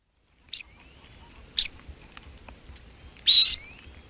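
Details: Red-necked phalarope chirping: three short, high notes, two clipped chirps followed by a longer, louder upward-sliding one, over a quiet, faintly hissy background.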